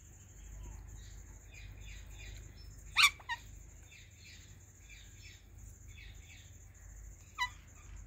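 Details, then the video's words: A pair of pet Indian ringneck parakeets eating pomegranate and chirping loudly: two sharp, harsh shrieks about four seconds apart, with softer chattering chirps in between and a steady high-pitched whine throughout. "Talking Ringneck Parrot Chirping Loud"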